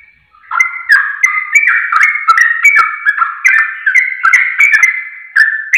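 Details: Lure recording of a Sooty-headed bulbul, played to trigger singing; rich, chattering phrases of mellow two-tone notes tumble along at about two or three per second, with crisp clicks between them.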